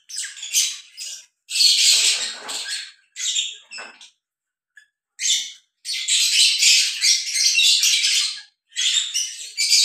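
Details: A pair of lovebirds mating gives bursts of harsh, high-pitched squawky chatter in rapid trills, broken by short pauses and a near-silent gap just after four seconds.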